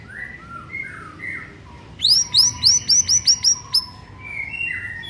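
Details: White-rumped shama in the morning, a recording to spur reluctant singers: soft low whistles, then a rapid run of about eight sharp, bright notes, then soft whistling again.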